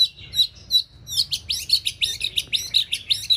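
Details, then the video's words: White-rumped shama practising for a singing contest: a loud, fast string of high, sharp chirped notes, roughly a dozen in quick succession, each clear and punchy, with a quiet background. "Kích lửa chuyền đấu hót solo sàng cầu rực rỡ"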